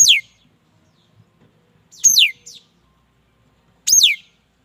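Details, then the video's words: Mi dat bird gives three strong, steeply downslurred whistled phrases about two seconds apart, each with a quieter follow-up note. The background is nearly silent. "Tiếng chim mi đất hót chuẩn"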